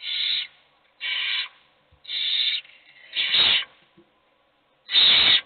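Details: Hungry young owls plead for food while one is fed. Five drawn-out, wheezy hisses arrive about once a second, the last ones louder and harsher.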